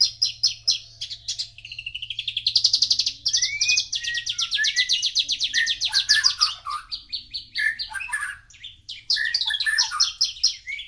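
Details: Long varied song of a Javan bush lark: crisp chirps lead into a rising buzzy trill, then downslurred whistles and jumbled twittering phrases. A low hum runs steadily in the background.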